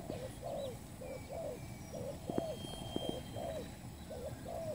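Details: Lure spotted dove, a new bird used for trapping, cooing a run of soft, hoarse, downslurred notes in close sequence. Light clicks and thin high chirps sound in the background.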